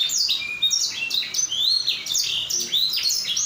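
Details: Canary singing loudly and continuously, used to prompt other canaries to sing: a fast, high, varied song of sliding whistles, rising sweeps and rolling trills with almost no pauses.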